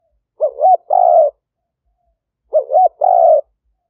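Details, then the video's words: Captive decoy spotted dove of a fierce strain, recorded live in 2021 in Roi Et province, Thailand, on a smartphone, used to lure wild doves: two phrases, each a quick wavering double coo and then a longer buzzy coo, about two seconds apart. "เสียงต่อนก หลิ่วตันสายพันธุ์ดุ #8 นกป่าเรียกกุกเข้าเร็ว เสียงนกเขาใหญ่ป่าเต็ม100 เข้าดี100%"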